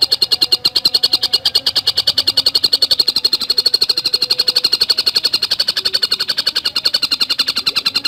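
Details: Continuous, unbroken run of crisp high notes from a Javan cuckooshrike singing in densely packed fast style, about seven per second, steady in pitch and loudness throughout, intended to train and provoke cagebirds.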